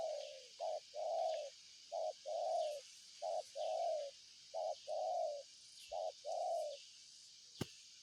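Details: Spotted dove, called tekukur, giving a repeated coo phrase: short note then longer mellow coo, pairs repeated about every 1.4 seconds, steady low pitch, with insect hiss in the background and a click near the end.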